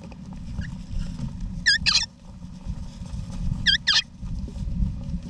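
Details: Wild Eastern rosellas in an Australian backyard nesting box, mother and father with their young, November 2018: two pairs of sharp, ringing double chirps about two seconds apart, over a rumbling low background noise.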